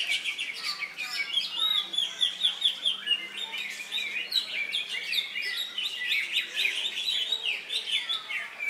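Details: Leafbird (cucak hijau) in a songbird contest in Indonesia on Saturday 3 September, fresh from molting and winning two classes; fast, sustained stream of sharp chirps, trills and slurred whistles, with a faint steady low hum underneath.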